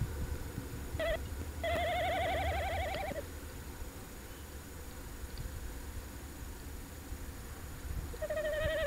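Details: A Tawny owl on a short visit at De Mortel, on a winter night at 21:49 on 27 January 2021, gives a brief hoot, then a long, quavering note, and starts again, over a low rumble.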